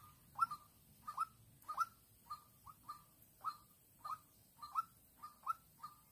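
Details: In Vĩnh Long, 16 March 2022, a young decoy white-breasted waterhen calls while luring a combative wild female. Measured series of mellow hollow notes, about two per second, some doubled, fairly quiet over a soft low rumble.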